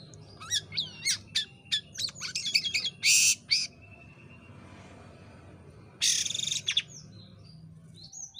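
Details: Jalak kapas myna singing vigorously, a tutor recording meant for training songbirds: fast varied whistled slurs and sharp clicks, then a loud grating buzz, a quiet pause, and another buzzy burst followed by soft whistles.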